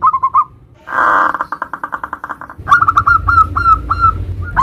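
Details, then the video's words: Local zebra dove 'nutut' song variation used as a lure for other zebra doves; a few quick coos, a harsh buzzy burst, then widely spaced clear notes over low rumbling noise. "Macam macam Suara NUTUT variasi perkutut lokal gacor - Ampuh untuk Pancingan semua jenis perkutut"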